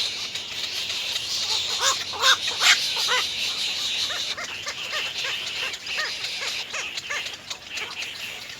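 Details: At the nest, three young little egrets beg from their mother to be fed, giving a fairly steady series of hoarse, rising-falling squawks about two and a half per second, louder early on, beneath a continuous high-pitched insect hum.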